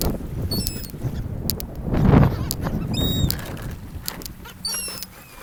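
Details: Seagulls on a beach by a gulf, interacting with people: short high squeaky calls come in brief bursts near the start, middle and end, over a steady rush of surf and low rumbling noise.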